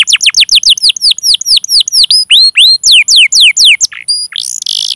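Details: Canary song used as a lure to prompt other canaries to sing: a fast series of loud descending whistled sweeps, repeated several times a second, ending in a buzzy burst.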